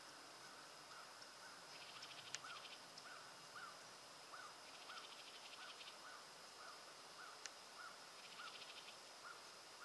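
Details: House wren calling at Roxbury Park, Meggett, South Carolina: short, dry, rapid chattering bursts about every three seconds, over a steady high insect drone and a soft repeated note from another caller.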